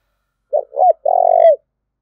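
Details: One spotted dove coo phrase given to provoke fighting: a short note, a slightly rising second note, then a long, even, purring croon that drops at the end. Clean, with no background.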